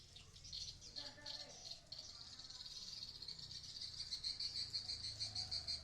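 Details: Swiftlets at a swiftlet house in Blokagung, Banyuwangi, East Java, a building long occupied by sriti and upgraded into a productive swiftlet house; high, thin chirps repeat rapidly in a steady stream, with faint low rumble beneath.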